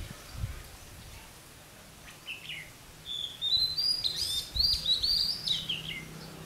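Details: Red-whiskered bulbul singing during an attempt to trap a wild bird; after three quiet seconds, a run of bright, warbled, whistled phrases rises and falls with quick slurred notes, over steady low background hiss.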